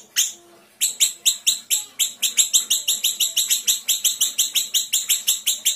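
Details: Small Sumatran siri-siri, a cage bird singing in the rapid dense 'tembakan rapat' style used as a tutor recording for other songbirds: a fast, steady run of sharp high chirps, about five per second, after one opening note and a brief pause.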